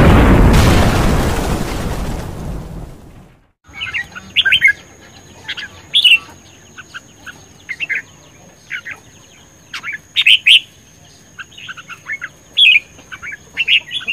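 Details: Red-whiskered bulbul in contest singing. Loud rumbling noise fills the first three seconds, then short clear whistled phrases come in scattered bursts every second or two over a steady high electronic tone.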